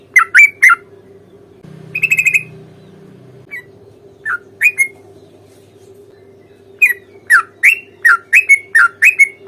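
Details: Sooty-headed bulbul fighting song meant to provoke a reply: clusters of short whistled notes, a harsher buzzy burst near two seconds, a quiet gap, then a fast run of bright dipping whistles, over a constant low hum.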